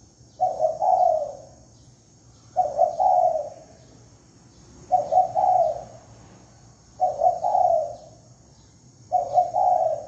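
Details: Spotted dove lure call: five regular phrases of stuttering coo followed by a longer mellow coo, about every two seconds, with a steady low hum and faint high whine.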